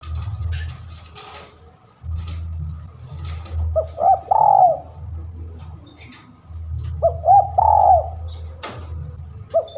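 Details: Spotted dove calling a rival, recorded as a lure: two bursts of husky, arched cooing notes, each a short phrase of three or four coos, over a steady low rumbling hum, with faint high chirps and clicks.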